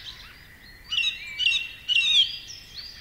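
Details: Song thrush delivering separate whistled phrases in its strident, far-carrying style. Two loud, clear phrases come about a second apart, then fainter trailing notes, with a soft hiss of background noise.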